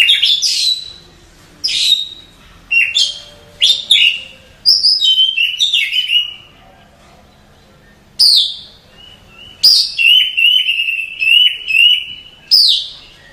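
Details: Nighttime calls of a female Oriental magpie-robin summoning a male, used as a lure for rivals: clean bursts of sharp descending whistles and chirps separated by short pauses, ending in a long steady whistled phrase with rapid trills above.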